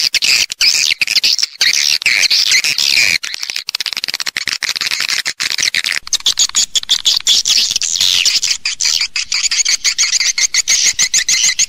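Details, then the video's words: Swiftlet lure sound used in swiftlet farming to draw birds into nesting houses: dense, overlapping high twittering chirps from many birds, with rapid buzzy trills running continuously throughout. "ÂM THANH CHIM YẾN HIỆU QUẢ NHẤT"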